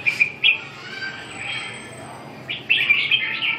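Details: Red-whiskered bulbul giving a few quick, clear whistled notes, then a longer burst of fluty warbling near the end, against faint background noise.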